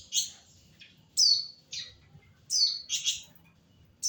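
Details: Flamboyan bird trained on shama and greenbul song. It gives scattered sharp high notes: short downslurred whistles and buzzy chips spaced irregularly, roughly one every half second to second, over faint low background rumble.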